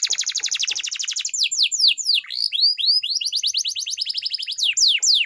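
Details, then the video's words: Training song of a canary: fast rolling trill of about four notes a second, followed by descending whistles and a sequence of upward-curving slurred notes, then a steady high trill. "canary bird singing _your canary will not stop singing with this training song_الكناري"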